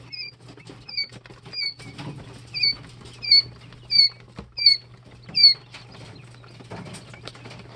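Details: Jumbo White Quail chicks, two and three days old, in a brooder: high thin peeping notes, each a short downslurred cheep, given in a steady series about once every half second over soft rustling and a low hum.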